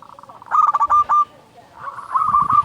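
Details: Zebra dove known locally as perkutut, a loud lure bird for prompting song, gives a quick run of rising coos, a short pause, then a softer trailing series of similar notes; a low knock sounds early.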